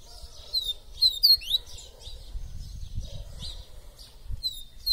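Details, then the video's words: Double-collared seedeater, a caged bird said to sing all day long, delivering high, rapid twittering phrases with sharp whistled slurs, amid low background hum. "PAPACAPIM TUI TUI VIVITI LINDO"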